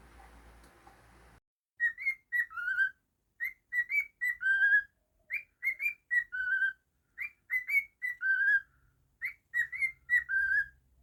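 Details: Pet cockatiel whistling a practiced tune after a brief noisy start: four near-identical phrases of short chirpy notes rising, then one longer lower whistle, each about two seconds apart, in a quiet room.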